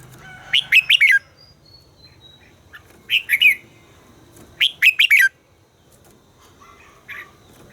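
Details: Red-whiskered bulbul, a bird in voice training, sings three short bright phrases of rapid warbled notes rising and falling, spaced a couple of seconds apart, with a faint hum beneath.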